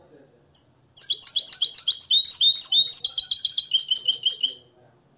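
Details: European goldfinch, nest-raised and schooled in the limpio song style in Morocco, delivering one sustained run of fast, high, ringing twitters and trills after a single opening note.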